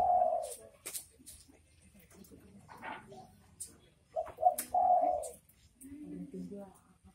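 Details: Spotted dove, locally derkuku, calling in the 'bekur bekur' style: short low coos, then a pause, then a two-part phrase ending in a longer hollow note, over quiet low hum.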